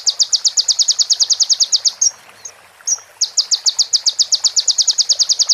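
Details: Clear master recording of konin, the crimson sunbird: a rapid, even string of high sharp notes for two seconds, a brief gap with soft whistled slurs, then another fast run of the same notes.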